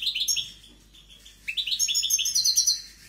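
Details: European goldfinch singing with notable strength: bright, rapid twittering phrases of high, slurred and buzzy notes, a short burst followed by a brief pause and then a longer, denser run of quickly repeated chirps.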